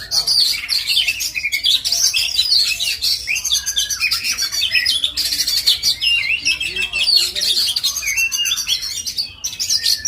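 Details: Kacer, or Oriental magpie-robin, from the Indonesian songbird-keeping scene, pouring out a continuous, busy song of sharp chirps, rapid trills and sliding whistles with barely a pause for ten seconds.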